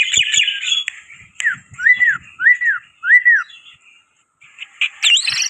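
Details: Song of a black-winged myna used as a loud lure bird: after jumbled whistles, four evenly spaced arched whistled notes follow one another, then a short silence and a burst of high sharp notes.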